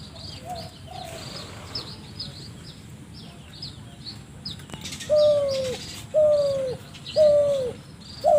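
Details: Spotted dove making a strange sound: soft faint notes at first, then three loud, clean coos that slide downward, about a second apart, amid light chirping of small birds.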